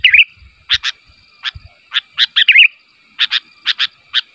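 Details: Sooty-headed bulbul calling to provoke replies from other bulbuls: it opens with a warbled phrase, then gives clipped double chirps and another bubbly wavering phrase, with a few low knocks.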